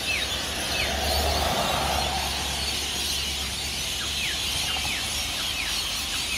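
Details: Rainbow lorikeets, hundreds of them, set off for the day from tall Norfolk Pines on Burleigh Heads Beach, Gold Coast, Australia, before dawn. Shrill massed screeching with rapid falling squawks over a steady low hum.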